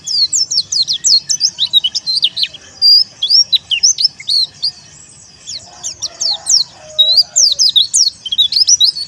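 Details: Dakun wilis white-eye, teler-style song used to provoke rivals. Loud, dense strings of high slurred chirps come in two long bursts separated by a brief lull, each note sweeping quickly up or down.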